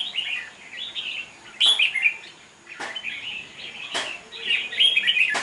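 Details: Red-whiskered bulbul facing a rival in a song contest, lively warbled phrases interrupted by loud sharp clicks from the cage.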